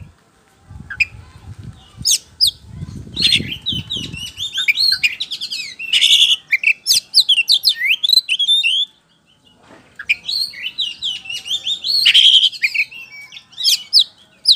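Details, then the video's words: White-rumped shama song played as a lure to draw answering birds: long bursts of varied whistles, trills and harsh chatter in fast succession, a pause near the middle, with low rumbling handling noise early on. "DIJAMIN NYAUT DENGAN PANCINGAN KACER POCI GACOR NGEPLONG INI"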